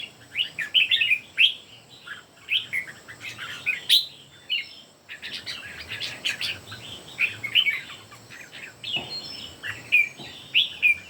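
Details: Three caged red-whiskered bulbuls singing in competition: dense overlapping bursts of bright warbled and chirped phrases, fast and jumbled, with brief pauses between flurries.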